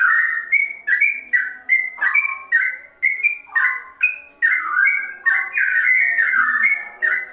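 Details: Sooty-headed bulbul (trocok) delivering ropel song reminiscent of a straw-headed bulbul: a brisk run of chirpy, fluty notes about two to three a second, each slurring down, growing busier toward the end; steady hum audible.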